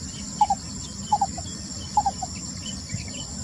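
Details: Singing lesser coucal on 28 May 2020 gives paired and tripled soft hoots that step downward, each group about 0.8 seconds apart, while insects buzz continuously in the background.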